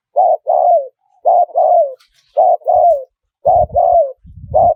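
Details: Spotted dove, small-voiced wild-style call with khat and nun phrases, used to lure wild doves: rapid run of paired coos, short note then a falling croo, about once a second, with low rumbling knocks later.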